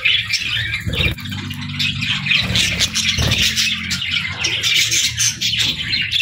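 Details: Evening chatter from a group of budgerigars: a continuous, busy stream of scratchy warbles and squeaks over a steady low hum, with a louder thud about a second in.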